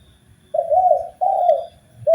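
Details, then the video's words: Spotted dove heard in a master recording meant to train birds: two drawn-out, low, slightly wavering coos in quick succession, then the start of another. "MASTERAN BUAT BURUNG TEKUKUR SUPAYA GAC0R DAN BERGAIR4H"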